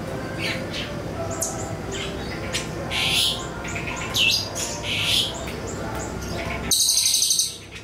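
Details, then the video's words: Siri-siri lure song for songbird training: scattered high chirps and short rasping whistles that grow denser, ending in a loud, sustained, harsh high-pitched burst before fading. "PANCINGAN SIRI-SIRI BAHAN DI JAMIN NYAUT"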